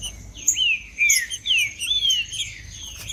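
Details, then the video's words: Green-winged saltator in vigorous macheando song, used to warm up other birds: a rich run of loud whistled phrases, each slurring up then down, flowing almost without pause, with faint high chirps behind. "Trinca-ferro Macheando 🔥 Trinca ferro cantando Para Esquentar Trinca ferro"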